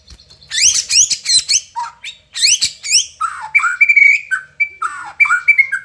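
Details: White-rumped shama from Indonesia singing with imitated fill-in phrases of sogon, cricket, cungkok and lovebird: fast rising whistled sweeps repeated in bursts, then lower slurred notes and steady held whistles, very clean with no background.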